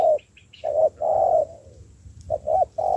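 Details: Spotted dove, a wild-caught bird being trained as a decoy, cooing in short, deep, hollow notes in two uneven bursts, with faint thin chirps from another bird above and a low background rumble.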